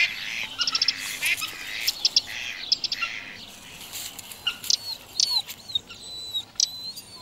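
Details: Pair of common kingfishers searching for a suitable nest site: scattered, sharp, high, thin whistles and short piercing chirps come in quick bursts. Some notes overlap with a soft background hiss.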